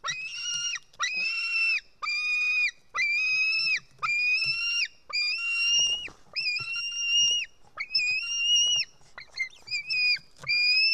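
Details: Estonian white-tailed eagle nestling screams as it is fed fish, 4 July 2018, early afternoon, nest cam: a rapid series of about a dozen harsh, strained screams, some slightly rising, separated by short pauses, with faint low thuds.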